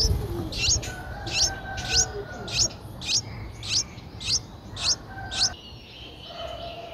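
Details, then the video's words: Nine-day-old Streak-eared Bulbul nestlings, whose eyes opened at seven days, recorded at Ubon Ratchathani, Thailand, on 11 April 2023: short, sharp, high chirps repeated nearly twice a second over a low steady hum and faint background birds. "นกปรอดสวน อายุ 9 วัน : Streak-eared Bulbul (Pycnonotus blanfordi)"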